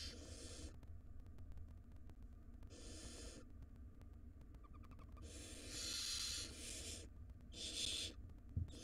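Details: Wild barn owl nestlings in a monitored nest box, fed a large rodent by their mother; harsh broadband hissing screeches of about half to one second, repeated irregularly, over a steady low hum.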